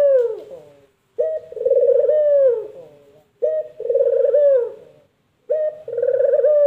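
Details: Spotted dove (puter) giving its distinctive cooing call, imitated locally as "mpuk jerruuuuuu": low hooting phrases each begun by a short note then a long vibrating coo sliding down, repeated about every two seconds.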